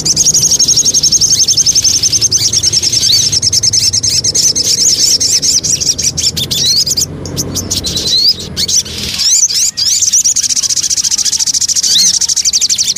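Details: Javan cochoa lure song: a dense, high, rapid chattering trill that runs almost without pause, with a few upslurred notes and sharp clicking bursts in the middle.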